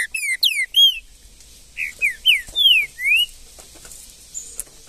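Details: In the bush, a green-winged saltator sings three quick loud down-slurred whistles, pauses, then gives a second phrase of five bright gliding notes, alternately dropping and rising in pitch.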